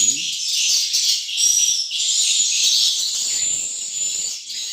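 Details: Swiftlets at a small single-storey swiftlet house built from natural materials: dense, continuous high chirping and twittering, many overlapping rapid notes forming a steady bright chatter throughout.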